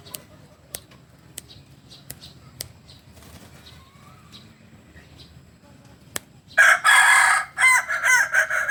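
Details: Native Solok Kukuak Balenggek rooster: after several seconds of faint clicks and quiet, a sudden loud, harsh crow bursts in and breaks into several stepped segments with short gaps.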